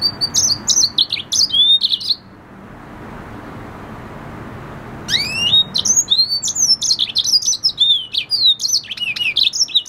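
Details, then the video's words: Red siskin hybrid, a red hooded siskin crossed with a canary, singing indoors; bursts of high twittering, slurred whistles and sweeping notes, a pause of about three seconds, then a second rapid phrase of rising and falling whistles. "Red hooded siskin singing | Cardenalito venezuela cantando"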